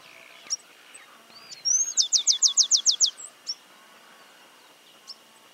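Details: In woodland in Santa Fe, Argentina, in 2022, a Stripe-capped Sparrow sings a brief high whistle, then a fast trill of about eight sharp descending notes over one second, with a few soft chips around it.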